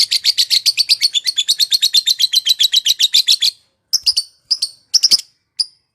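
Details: Lovebird ngekek trill to provoke rivals and stir silent birds into song: a fast rattling trill of about eight notes a second for three seconds, then a few spaced sharp chirps.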